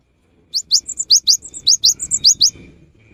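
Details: Cinereous tit song used as a lure in the rainy season, a rapid run of about a dozen crisp upward-sweeping whistles mixed with short high flat notes, ending in a faint hum.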